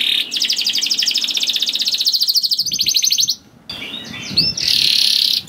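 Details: Canary song meant to prompt caged canaries into singing: long fast rattling trill, a second rapid trill, a short gap, then sustained high buzzy notes, with faint low background hiss throughout.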